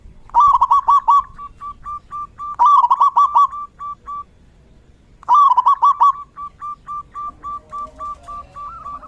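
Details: Rainy-season therapy song of a zebra dove: three phrases about two and a half seconds apart, each a quick burst of clipped coos trailing off into softer, evenly spaced single notes.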